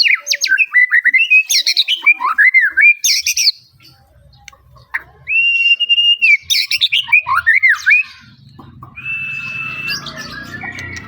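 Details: White-rumped shama song: varied loud whistled phrases with sliding, looping notes, some steady held whistles and sharp high flourishes, delivered in bursts separated by short pauses, with a faint low background hum and a quieter thin whistle at the end.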